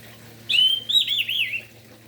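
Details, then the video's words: Orange-headed thrush in morning song, played to provoke other orange-headed thrushes into singing: one continuous high warbled phrase lasting about a second, wavering up and down before fading. "Anis merah Gacor Pagi hari - Merangsang emosi dan Birahi Anis Merah"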